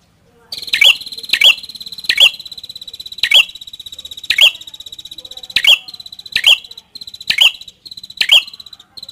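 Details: Red-headed prinia singing: a buzzy rattling trill with loud, sharp, scratchy notes bursting through it, repeated about ten times over nine seconds. The background is otherwise quiet.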